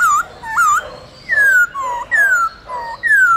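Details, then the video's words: Black-throated laughingthrush sings a wild-type forest song of clear, mellow whistled phrases, each slurring down then swinging up, about one every 0.7 seconds over a faint background hiss; meant to stimulate and train captive laughingthrushes. "Khướu Hót giọng rừng"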